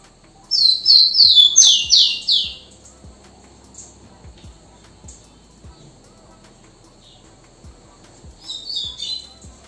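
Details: Single rufous-collared sparrow song: four or five bright whistled notes, each gliding down, over about two seconds. A long quiet gap with soft ticks follows, then a brief fainter high phrase near the end.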